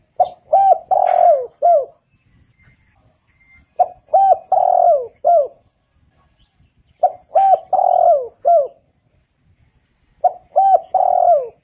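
A spotted dove gives soft, low cooing phrases of about five notes, including a longer rolled coo, repeated roughly every three and a half seconds in quiet surroundings.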